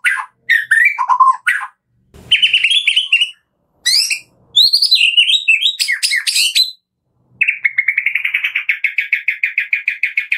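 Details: White-rumped shama in full song, kretekan style, used as a lure to make a silent shama sing: varied loud whistled phrases and sharp notes, then a long fast trill of rapid repeated notes.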